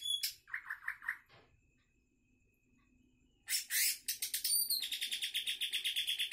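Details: Greater green leafbird, recently wild-caught and called highly 'gacor', sings varied phrases: a high squeak, four quick mellow falling notes, a pause, then loud harsh chattering notes leading into a long, fast series of rapid, even, ringing pulses.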